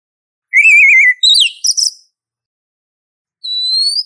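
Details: Oriental magpie-robin female calling to attract a male: a wavering, trilled whistle, then a few quick, sharp chirps, and after a pause one smooth rising whistle.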